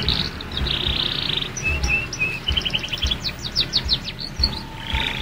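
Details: Young canary learning to sing: buzzy trills near the start, then short whistled notes and a run of rapid downward-sweeping chirps, with low background rumble throughout.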